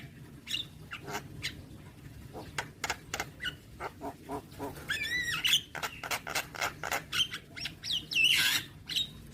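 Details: Javan myna, kept in captivity, singing a rapid, varied string of harsh clicks, rasping squawks and bright whistled notes, roughly four elements a second, over a faint steady hum.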